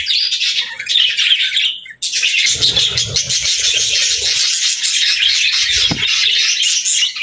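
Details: Busy budgie chirping, high and scratchy with quick warbled notes, pauses briefly for a moment, then returns as dense continuous twittering over faint low rumbling.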